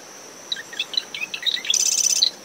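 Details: Dune-shrub marsh wren near its nest, early morning, brisk post-storm winds: about a dozen quick varied chirps rising and falling, then a harsh buzzing trill ending in a short note. A cricket's steady tone and wave noise continue throughout.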